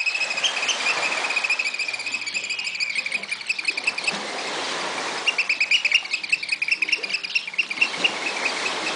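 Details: Oystercatcher at Walsrode, Germany: shrill piping notes in rapid, uneven runs, fading in and out over a soft background hiss.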